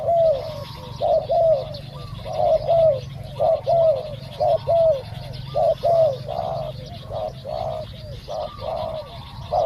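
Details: Live decoy hunting of spotted doves, a captive caller drawing in a soft-voiced wild dove that is slow to come down. Repeated husky coos with falling ends, roughly one per second, over a constant low background drone.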